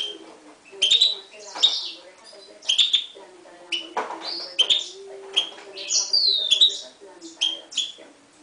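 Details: Bright chirps and short upslurred whistles from a 2011 mule bred from a Himalayan goldfinch and a timbrado canary, spaced irregularly with one drawn-out falling note near the end.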